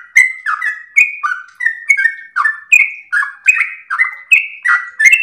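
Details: A sooty-headed bulbul delivers long-breathed melodious song intended to provoke and train other birds, with rapid whistled notes, each clicked at the onset, some falling and some flat, repeated with hardly a gap.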